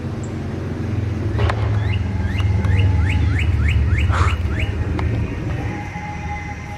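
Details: Male northern cardinal that came into a yard after a cardinal call was played on a computer. It repeats rising slurred whistle notes in a steady series over heavy low engine-like rumble, with a brief human sound.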